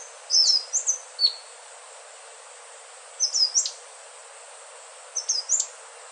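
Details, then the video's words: Three short bursts of high, sweet whistled notes from an Indigo flycatcher (sikatan ninon, selendang biru), each burst a rapid cluster of slurred notes, separated by about two seconds of quiet hiss. "Suara merdu sikatan ninon/ burung selendang biru"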